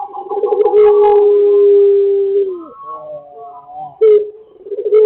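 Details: Pelung chicken crowing: one long, steady, deep crow held for over a second, fading with a downward slur, followed by softer wavering notes and a short final call.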